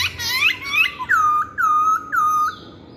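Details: Hwamei song phrase: short rising whistled slurs give way to three clear, level whistled notes spaced about half a second apart, the last trailing off into a faint rising tone.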